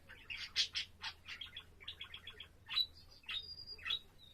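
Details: Budgerigar song from a pet bird recorded April 7, opening with rapid scratchy chatter, then clear whistled notes, including a sustained flat whistle, with a steady low hum underneath.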